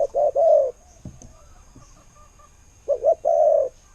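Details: Spotted dove used as a decoy, calling in the "ku-ang" style: a double-noted lead-in and a long, smooth coo, repeated once after a pause with a soft knock in between.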